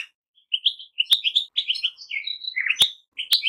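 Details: Goldfinches give a brief burst of fast twittering song, bright chirps tumbling together, broken by a few sharp clicks.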